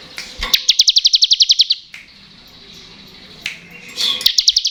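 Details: Bar-winged prinia, the crystal ciblek type, singing in the rapid 'ngebren' style used to coax lazy or untrained birds into song: a dry, high, evenly ticking trill of about a dozen notes, a pause, then another trill beginning.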